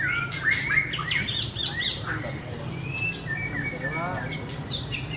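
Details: White-rumped shama song: varied whistled phrases and chirps around the middle-high range, with rapid buzzy notes near the end, over a steady low hum.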